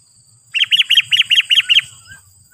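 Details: Sooty-headed bulbul in lively calling form, used as a lure call to provoke wild bulbuls into answering and approaching; a quick burst of seven bright, arched notes in just over a second, clean quiet background.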